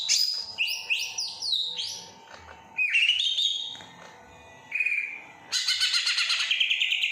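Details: Greater green leafbird from Kediri imitating other birds: a quick series of high looping whistles, then rising slurred notes and a whistled phrase, finishing in a fast, rapidly repeated high trill.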